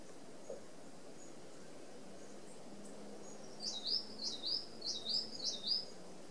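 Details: Red-browed finches, Australian natives, feeding as a flock at an open aviary feeder; a run of seven high, short downslurred calls given in quick series through the second half, over steady low background hum.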